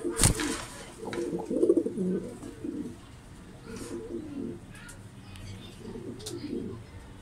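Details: A young, very aggressive male Lahore pigeon gives low, throaty rolling coos in three bursts a couple of seconds apart, after a sharp knock at the start; faint indoor noise behind.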